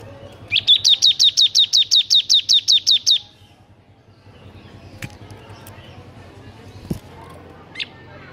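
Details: Bar-winged prinia (ciblek) giving a 'ngebern gacor' song, meant to tutor reluctant singers: a fast, steady run of about fourteen high, sharp notes lasting under three seconds, then near silence with faint clicks.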